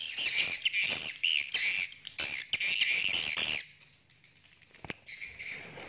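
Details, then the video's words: Courting swiftlets from Indonesia giving rapid, scratchy high twitters in quick repeated bursts for about three and a half seconds, then fading to faint chatter and a single sharp click. "Suara Walet Asli Birahi"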